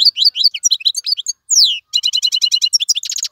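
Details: Wild-caught European goldfinch in a cage with continuous song: jumbled twitters, a descending slurred whistle, then a rapid rhythmic chatter ending in a dry buzz.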